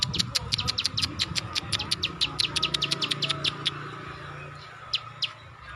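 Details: Ciwah, or klik klik bird, in lively song: a fast series of sharp, high ticking clicks that thins out toward the end, with a faint low hum underneath.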